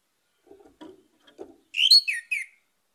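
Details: Orange-headed thrush singing to coax other birds into song: a few soft low clicks and taps first, then a loud brief phrase of three bright, slurred whistles.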